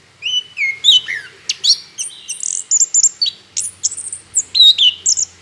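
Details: Orange-headed thrush song used as a lure to make other birds sing: varied loud whistled phrases, some sliding downward, mixed with high sharp chirps in a continuous lively sequence; a faint low hum below.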